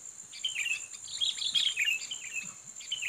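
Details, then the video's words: Sooty-headed bulbul, a fighting bird lured to challenge a rival, gives quick slurred chirps and warbled whistles in a loose phrase, with a shrill continuous hum and faint low rustling beneath. "Pikat Kutilang Petarung"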